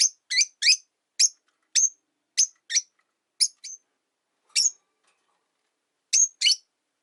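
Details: A lively run of high, sharp chirps, a dozen or so, some in quick pairs, comes from three rosy-faced lovebirds newly housed together in one cage beside a window, the older bird unhappy with a newcomer.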